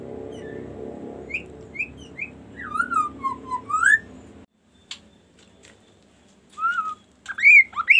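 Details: Kaso kaso bird singing a varied series: short high whistles, a wavering whistled phrase dipping and rising, then after a pause more rising, looping whistles, with a low hum early on.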